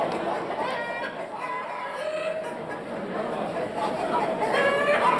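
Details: Wild-coloured (partridge) rumpless Araucana chickens at a cantonal poultry show in Grangeneuve, Switzerland, January 2013; a rough, harmonic crowing and clucking calls rise over the steady murmur of a crowded exhibition hall with people's voices.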